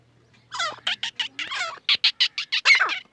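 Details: Grey francolin in Pakistani jungle giving a harsh, scratchy series: a drawn-out grating note, then a rapid string of about eight short clipped squawks over two seconds, with a faint low hum early on.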